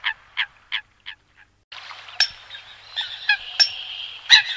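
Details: Eurasian coot: a few clipped nasal notes in quick succession, then a burst of overlapping harsh, honking calls with loud sharp peaks.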